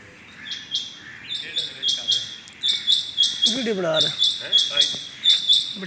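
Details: Rain quail calling on the morning of 6.7.21: a run of high, sharp paired notes repeated every half second or so, while a man's voice speaks briefly in the middle.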